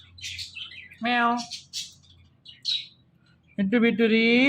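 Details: Indian ringneck parakeet kept as a pet, mimicking human speech. One clipped, word-like syllable and soft hissy murmurs lead to a longer drawn-out voiced word whose pitch slides upward at the end.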